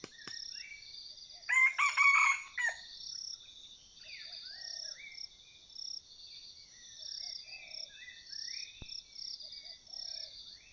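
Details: Red junglefowl rooster used for decoy hunting, giving a harsh, rasping crow of about one second with stacked harmonics, over a steady high insect drone with chirping birds throughout.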